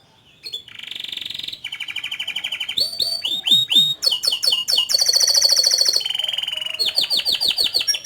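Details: Canary singing continuously: buzzy rolling trills, a run of steeply falling whistled chirps, then a bright fast high trill and more repeated chirps.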